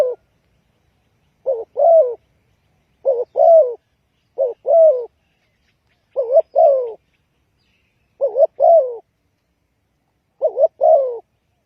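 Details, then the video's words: Lure call of a spotted dove for trapping, six repeated phrases of a doubled short coo followed by a longer sliding croo, delivered evenly every one to two seconds in a still setting. "Chim cu gáy chiêu kích mồi tập bổi nhanh nổi hiệu quả"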